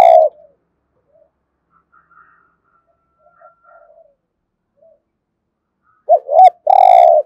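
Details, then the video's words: Spotted dove cooing in the 'giọng thổ' style, played to urge other birds to coo: a coo ending at the start, near silence, then two short rising notes and a long loud coo. "tiếng chim cu gáy kích bổi hiệu quả gù thổ"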